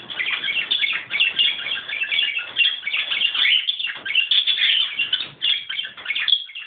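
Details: A male budgerigar courting a cockatiel warbles nonstop, a dense chatter of high chirps, clicks and squeaks.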